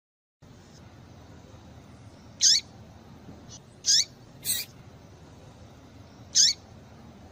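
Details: Papa-capim seedeater female call for provoking male song: irregular high chips, four loud and a couple softer, each a quick bright note sweeping downward, over faint steady hiss.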